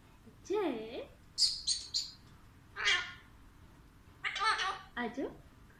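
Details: Pet Alexandrine parakeet talking indoors, taught the phrase "Mithu aajao": a wavering, sliding tone first, then clipped, raspy high syllables in quick groups of two and three, separated by short silences.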